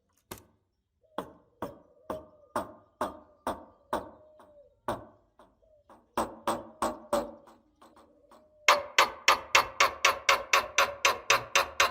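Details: Regular metallic percussive strikes, with a low droning tone behind them, speed up to a steady rapid beat, and no animal voice is heard.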